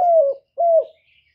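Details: Spotted dove call used as a lure to stimulate doves, heard as two smooth, mellow coos of under half a second each, level then dropping at the end, separated by a short pause.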